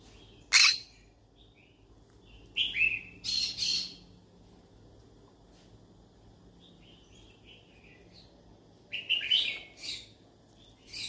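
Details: Harsh, grating squawks from a yellow-sided conure seeking friends to talk to. Calls come singly and in pairs spaced a few seconds apart, with soft chatter between them and a rasping burst near the end.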